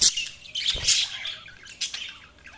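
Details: Budgies chirping: thin, high, scratchy chirps and twitters in scattered bursts, with one brief low thump in between.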